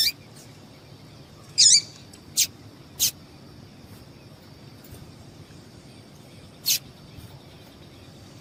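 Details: Female yellow-bellied seedeater calling to excite males: one fuller high chip followed by a few sharp clicking notes spread over several seconds, with steady faint hiss.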